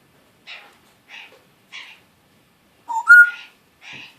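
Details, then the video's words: A one-year-old pet African grey parrot indoors gives a string of short raspy phrases about every half second, then a clear rising two-note whistle, followed by another scratchy syllable. "Talking African Gray Parrot"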